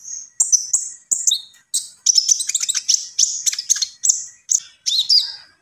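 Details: Vigorous gacor song from a common iora: separate high chirps at first, then a fast stream of sharp chattering notes and downward-slurred whistles, repeated in short bursts.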